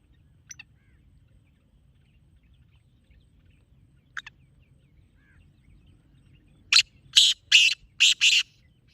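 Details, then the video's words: Calling sound of a black francolin for luring francolins: a quiet stretch with two faint ticks, then a loud phrase of five harsh grating notes delivered in fast, uneven rhythm. "Black Teetar Calling Sound"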